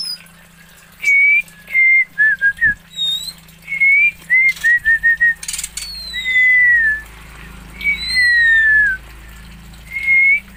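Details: Oriental magpie-robin from Aceh, Indonesia, singing clear whistled phrases, short slurred notes and longer falling slides, in bursts with pauses between them; faint low hum beneath.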